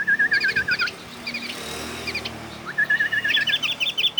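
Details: Oriental white-eye mimicking a bulbul with repeated lower wavering warbles of about eight notes, interleaved with high doubled chirps, against a steady background hiss.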